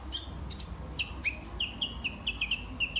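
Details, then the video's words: Kolibri ninja, a sunbird, in lure recording meant to prompt other birds to sing: short high clear whistled notes repeated about three times a second, some sliding upward, with a steady low background hum. "Burung KOLIBRI NINJA anda LANGSUNG GACOR pancingan dan masteran KOLIBRI NINJA GACOR"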